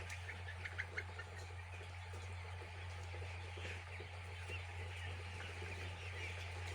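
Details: Chicks at a poultry farm give scattered high peeps over a loud, constant low drone, with a few louder clicks early on.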